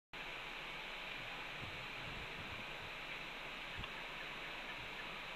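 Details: A steady broadband rushing hiss fills the recording, with no animal call.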